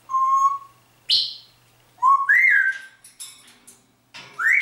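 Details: Grey parrot kept as a pet, copying speech and the pop song "Atemlos durch die Nacht": separate clear whistled notes, some steady, some rising or swooping, in short phrases with brief pauses between them.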